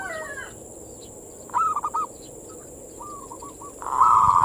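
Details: Manggung song of a zebra dove (perkutut), played to stimulate local perkutut: a quiet stretch broken by two short stuttered coo phrases, ending in a loud buzzy rolling note; steady high hiss throughout.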